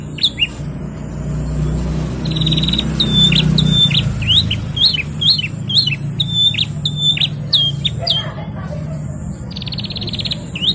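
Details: Canary singing vigorously: a run of sharp, high, downslurred whistled notes about twice a second, broken by fast buzzy trills of rapidly repeated clicks, with a hum of low background noise throughout.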